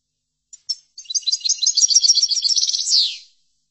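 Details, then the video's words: European goldfinch song played to tutor goldfinches: two opening chips, then a brisk, tinkling twittered phrase of about two seconds ending in a buzzy falling slur, with a clean, quiet background. "لتحفيض الحسون chordonier"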